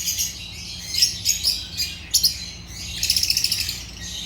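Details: Agapornis lovebirds chirping in a busy, piercing stream of short high tweets and squeaks. Separate sharp notes stand out, then a quick run of rhythmic chips toward the end. A faint low hum sits underneath.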